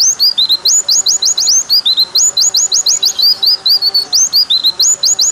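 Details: Rambling white-eye song of high, quick upslurred whistles in tight clusters, separated by lower twittering notes, sustained without pause.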